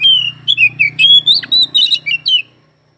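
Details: Oriental magpie-robin in full song: a run of clear whistled notes around mid-high pitch, sliding and warbling in short phrases, about nine notes over two and a half seconds, with a faint low hum underneath.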